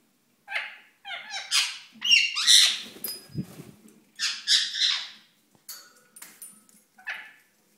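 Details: Courting ringneck parakeet indoors, delivering a long irregular chatter of nasal harmonic notes and harsh squawks, with a short thump partway through and softer calls near the end.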